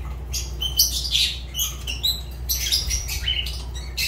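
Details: Quick series of high, squeaky chirps and rasping notes from a Fischer's lovebird, irregular and busy, with a steady low hum beneath.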